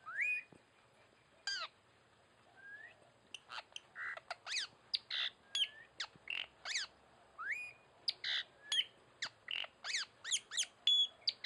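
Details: Tanau bird calls used for luring: one rising whistle, then a long pause, then dense series of sharp down-slurred notes and occasional upslurred whistles, speeding up toward the end.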